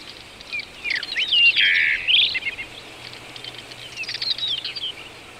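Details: Common rock thrush (rufous-tailed rock thrush) in Shahdag National Park, Azerbaijan, sings a quick, varied warble of fluty whistles and slurred notes, bursting richly for two seconds, then continuing in softer, thinner phrases over faint hum.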